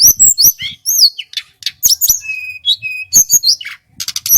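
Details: Male local hill blue flycatcher from Merapi, a vigorous singer used as a lure; high looping whistles and slurred notes, sharp chips, two steady level whistles, then rapid high chatter.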